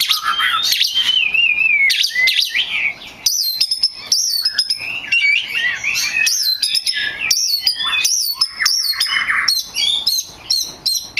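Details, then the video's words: Oriental magpie-robin singing loudly and continuously as a lure to draw answering song from other magpie-robins: varied whistled slurs, rising and falling phrases, and sharp high notes in fast succession. "SUARA P4NCINGAN KACER BAHAN / GACOR DIJAMIN LANGSUNG NYAUTT!!"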